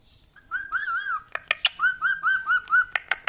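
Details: Pet talking parrot, kept indoors, whistling a wavering, wobbling mid-pitched tone, broken by sharp clicks, then a run of short rising-and-falling whistled notes.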